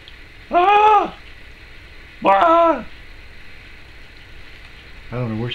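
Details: A pet Timneh African grey parrot at home in 2012 gives two drawn-out, voice-like calls, each about half a second long and arching in pitch. A short nasal note follows. The owner says the sound resembles her own voice.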